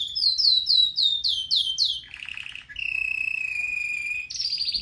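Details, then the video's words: Red factor canary, a pet bird from a breeder, singing for training: a run of rapid downslurred whistled notes, then a low buzzy rattle, a long steady trill, and a higher trill to finish. "Canary most powerful song for training | Red Factor singing"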